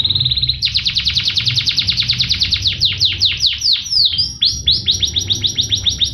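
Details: Canary song opening with a short high buzz, then a long series of rapid descending whistled sweeps repeated several times a second, later breaking into looser slurred notes, over steady low background noise.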